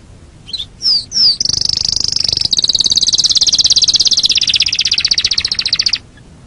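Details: Canary song from a training recording for songbirds: brief rising notes, then a long rapid high trill held for over four seconds before stopping.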